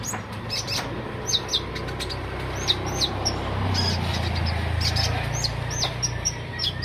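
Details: Olive-backed sunbird in busy everyday song, giving high, thin, downslurred chirps repeated about four per second in irregular strings, with a continuous low droning hum underneath.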